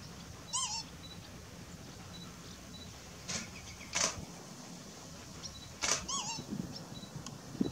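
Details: Two grey herons (Ardea cinerea) fighting at Sandwich Bay reserve, Kent, UK, give two harsh, wavering calls about five seconds apart, with bursts of flapping wings between them over a steady background hiss.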